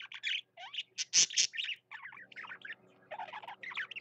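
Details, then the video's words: Budgerigar kept as a pet, singing vigorously: rapid scratchy chirps and buzzy squeaks, a couple of louder sharp clicks near the middle, short gaps between bursts, and a low electrical hum underneath. "Parakeet BB singing his heart out"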